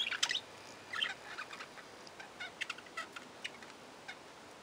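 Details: Budgerigars chattering: many brief, scratchy chirps and clicks scattered across the recording, loudest at the start and near one second, then softer repeated ticks, with a steady background hiss.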